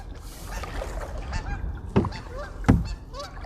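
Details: Canada geese guarding a nest in Macatawa Marsh in spring: short, nasal honks about every half second over steady marsh noise, with loud kayak paddle splashes.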